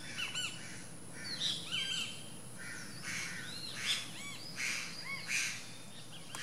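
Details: Least grebe at its nest giving a busy run of short, sharp, arched notes, some overlapping as if from more than one bird, over a steady high hiss and low rumble.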